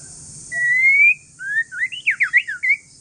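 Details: An Aceh forest-strain white-rumped shama sings softly to coax other shamas into song: one long rising pure whistle, then a rapid cluster of looping, up-and-down whistled notes.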